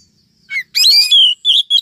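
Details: Female Oriental magpie-robin calling to stir up and lure males, in a trapping lure recording: a short sweet note, then a loud run of bright whistled phrases with sharp slurred notes, ending in three clipped chirps.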